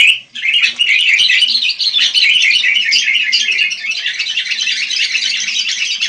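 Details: Continuous chattering of wild sooty-headed bulbuls, a thick, unbroken wash of squeaky, bubbling chirps from several birds at once.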